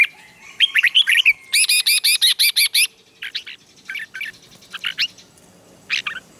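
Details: Red-whiskered bulbul in morning training song for rousing wild-caught birds into fighting song; a warbled phrase, then a fast, even series of sharp ringing notes, followed by scattered shorter chirps.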